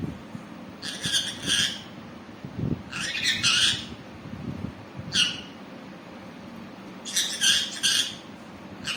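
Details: Green pet parrot squawking in harsh, raspy bursts, roughly every one to two seconds, some doubled or tripled, over a faint low indoor hum.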